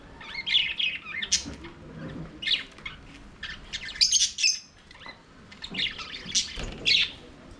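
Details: Budgerigars singing and playing in an aviary deliver bright, chirping warbles in separate bursts, mixing high squeaks with scratchy buzzy notes, separated by short quieter gaps.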